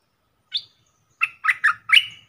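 Streak-eared bulbul giving a single high note, then four quick, harsh, chirpy notes in a burst lasting about a second; no other sounds.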